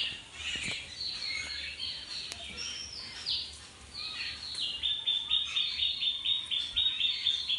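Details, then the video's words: Birds in a village backyard beside a small river, high thin chirps and short whistled notes, ending in a quick series of repeated sharp notes at a steady pace. "Birds Chirping by a Riverside House"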